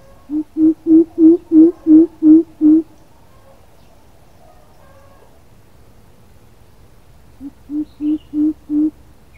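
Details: Coucal calling as a lure: a series of deep, hollow, evenly spaced hooting notes, about eight in a row, then a pause and a second shorter series of five.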